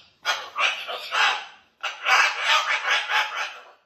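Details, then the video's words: Indoor pet cockatoo telling his stories with his whole body gives two harsh, grating phrases of about one and a half seconds each, pulsing in loudness, with a brief gap between them. "Barney uses his whole body to tell his stories"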